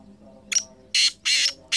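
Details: Black francolin (kala teetar) calling, 2023: one brief harsh burst, then three loud, grating, broadband notes in quick succession. A faint low hum sits underneath.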